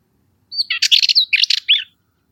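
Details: Cyprus Warbler, a Curruca warbler breeding in dense bushes of open Mediterranean scrub on Cyprus, giving a short scratchy rattling phrase of about ten rapid harsh notes mixed with a few thin whistled slurs.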